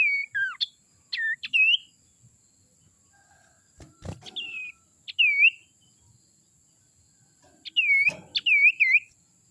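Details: Young wild sirtu from the forest, played as a lure for other birds: clear whistled notes that dip and rise, given in short bursts of two to four with pauses between, over a faint steady high hiss.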